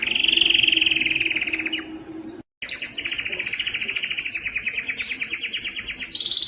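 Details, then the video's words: Powerful canary song, used to prompt males to sing, excite females toward mating and teach young birds. A fast rolling trill, a short break, then a long bright two-level rattling roll ending in a higher steady tone. "مجموعة صوت الكناري لتحفيز الذكر على التغريد"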